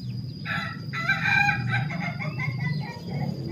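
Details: Male Ayam Ketawa, the laughing chicken, kept in a pen and trained for a long continuous crow, gives a broken, rhythmic series of hoarse syllables like laughter, with a steady high electronic whine behind.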